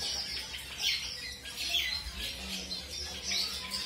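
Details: Newly matched colour-mutation zebra finches meeting a new partner; scattered sharp, nasal squeaky calls in short bursts, separated by brief quieter gaps, with faint low background noise.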